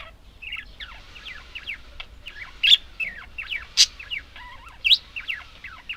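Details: Warbling chatter of budgerigars, steady stream of quick whistled squiggles and slurred notes with occasional sharp clicking chirps standing out above it.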